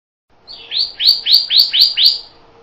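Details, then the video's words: A Pyrrhuloxia gives a short rapid series of six sharp upslurred chips, evenly paced and ringing, with a soft low hum underneath. "Pyrrhuloxia Song! Pyrrhuloxia Call! Pyrrhuloxia Sound! - Cardenal Pardo Canto"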